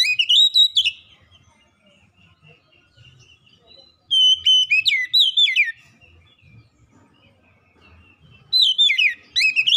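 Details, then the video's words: Lure song of an Oriental magpie-robin for coaxing silent birds to sing: rising whistled phrase, a pause with faint twitters, then another burst of sweet sliding whistles and chips, and a third starting at the end. "kicauan Kacer pemikat | Kacer malas bunyi terpikat langsung gacor"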